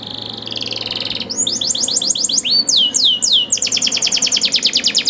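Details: Canary training song with ornate cengkok turns: a soft buzzy trill opens, then a run of clear descending whistled slurs, ending in a fast, even rattle of sharp notes.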